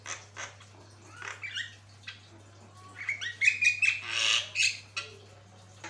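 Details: Javan myna master song: scattered scratchy notes at first, then a louder run of whistled slurs, rasping squawks and buzzy chatter toward the end.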